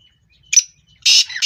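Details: Black francolin calling, apparently a male courting females in breeding: a brief harsh note, then a longer, scratchy, high grating burst half a second later. No other sounds.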